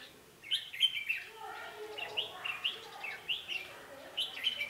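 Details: Decoy red-whiskered bulbul at a trapping site, 11 November 2016: brief, lively chirping whistles repeated in short phrases about every second, over a soft steady hiss.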